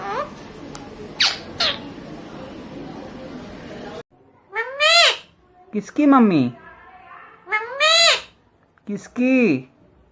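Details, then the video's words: Talking Indian parrot mimicking Hindi: after a few noisy clicks, four loud harmonic calls at roughly one-second gaps, each arching or sweeping in pitch like spoken words, with silence between. "indian parrot talking बोलने वाला तोता.....नकलची तोता..प्यारा तोता.."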